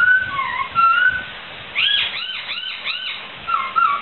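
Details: Laughingthrush song as a training recording for songbirds: smooth whistled notes, then a quick run of arched, bouncing notes that rise and fall, before the smooth whistles return.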